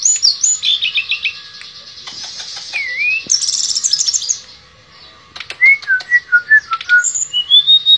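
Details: Shortwing known as tledekan pring, singing in the nembak and ngerol style: a dense high buzzy passage, then a series of clear descending whistled notes ending with rising whistles.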